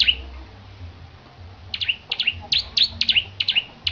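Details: Competition-trained bar-winged prinia in energetic song: loud, bright chirped notes come in rapid, slightly irregular succession, some doubled, with a faint low background hum.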